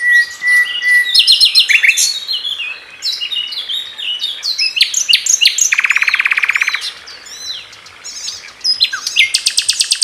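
Loud, varied Common Nightingale song: a pure drawn-out whistle, quick chirping phrases, and a dry buzzing rattle held for about a second, all packed tightly together.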